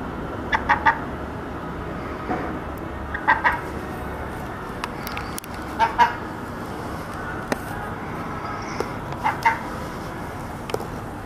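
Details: Local seagull giving short, harsh, nasal calls, often in quick pairs, spaced every few seconds against a broad background hiss.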